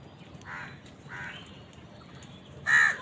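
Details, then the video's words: A crow among birds squabbling over food gives two soft, hoarse caws about half a second apart, then one sharp, loud caw to finish, over a low background hiss. "Crow bird crowing sound | Crows fight with wild birds for food"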